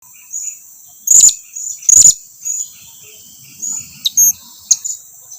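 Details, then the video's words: Blue-crowned hanging parrot calling its companions to come closer: thin, very high, sharp notes, two loud ones near the start and fainter scattered chips afterwards, over a steady high hiss. "suara serindit lagi memanggil kawannya agar datang mendekat"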